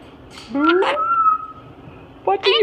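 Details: Pet parrot in a room, stirred by a nearby Moluccan cockatoo, gives a rising squeak, a long steady whistle and a brief chirp at the end; a person talks softly.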